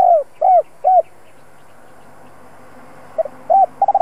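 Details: Spotted dove kept as a decoy, with a two-ending 'giọng đồng' voice used to lure wild birds. Three soft arched coos, a pause, then a stuttered start, another coo and a rapid cluster of short notes.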